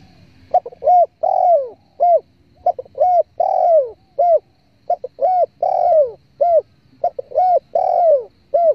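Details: A spotted dove call played as a hunting lure. Soft, hollow coos come in grouped phrases: short clipped notes lead into a longer, drawn-out downslurred coo, repeated several times in a clear, quiet setting.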